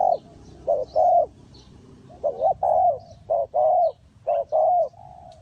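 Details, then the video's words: Cooing of a spotted dove from Ninh Thuận, Vietnam, in a bird-trap setting; paired brief notes lead into a fuller, slightly arched croo, repeated about once a second, with faint chirps from other birds. "Cu gáy Ninh Thuận,นกเขาใหญ่สายต่อดิน,Tekukur pikat,The Sound Of dove"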